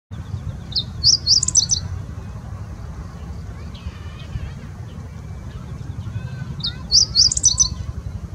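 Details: A male meadow bunting (Emberiza cioides) singing on 24 October 2020: two brief, high, quick-tumbling phrases of sharp chirps several seconds apart, over a steady low rumble of background noise.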